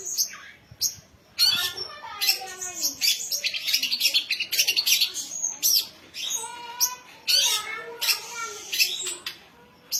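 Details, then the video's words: Young songbird, ready to compete in singing contests, mixing sharp clicks, rising whistles and dense high chattering phrases in an energetic, varied stream. "Burung Ocehan Gesit"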